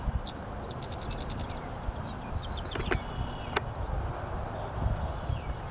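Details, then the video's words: A sedge wren singing on June 9, 2018, in a large grassland with willow-lined lower areas on a former landfill in St. Joe, Indiana: a few high, dry chips, then a rapid staccato chatter, over low wind or distant traffic rumble. "Sedge Wren singing"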